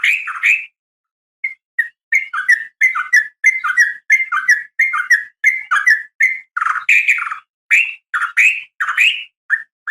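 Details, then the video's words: Female Sooty-headed Bulbul with a fighting sound meant to call the male: a long series of short, bubbly, liquid whistled notes in quick uneven succession, some paired and rising. "trucukan gacor SUARA TARUNG ROPEL UPLIK"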